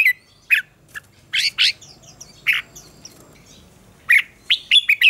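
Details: Red-whiskered bulbul contest song, a morning fighting song used to train and provoke other birds: spaced harsh, squawky bursts mixed with sweeping whistled notes, quickening into a rapid sequence toward the end.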